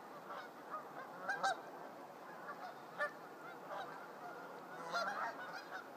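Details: Morning flock of geese resting at a conservation area in Whitby, Ontario, where they land every evening; several short nasal honks stand out, with clusters near the start, middle and end, over continuous flock murmur.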